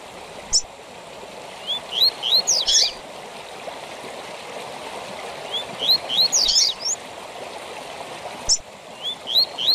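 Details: Double-collared seedeater singing the tui tui zel zel style used to tutor captive birds: two phrases, each a run of short rising whistled notes followed by sharp buzzy downslurred notes, over a steady rushing, water-like background hiss.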